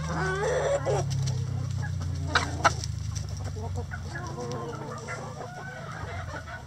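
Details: Chickens in a coop, soft clucks and low murmuring calls scattered through the clip, with a steady low hum underneath.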